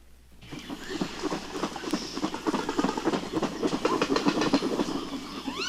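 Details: Marabou storks, a pair greeting at the nest after one lands, clatter their bills in a loud, rapid wooden rattle, about three beats a second, with a few thin rising squeals near the end.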